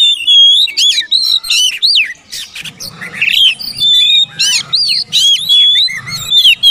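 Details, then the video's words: Oriental magpie-robin singing, played to coax mute or reluctant birds to sing: loud, varied rapid phrases of sweeping whistles, downslurred notes and harsh chirps, delivered in bursts with brief pauses and a faint low hum beneath. "TERAPI MASTERAN BURUNG KACER BISU MALAS BUNYI DIJAMIN CEPAT RESPON NGEPLONG"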